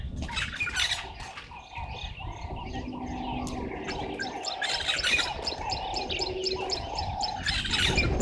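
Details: Red-billed buffalo weavers gathering nesting material at 05:30 on 11 August 2023, Gowrie dam waterhole, Djuma Game Reserve, Sabi Sand, South Africa: dense bursts of harsh, high chattering notes over a steady mid-pitched whistle from other birds.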